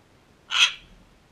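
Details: One loud, harsh, broadband squawk from a sulphur-crested cockatoo in a backyard, sharp onset and quick fade, otherwise near silence.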